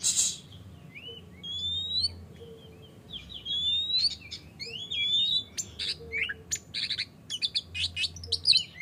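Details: Oriental magpie-robin in full morning song, used as a lure to make other magpie-robins sing: varied loud phrases of clear rising whistles mixed with rapid harsh rasping notes and chatters, with a faint low hum beneath.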